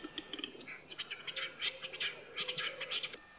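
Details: A male western capercaillie in a Russian forest gives his spring mating call: a dry, rapid run of scraping, clicking notes in bursts for three seconds, with a faint low tone underneath; Western capercaillie.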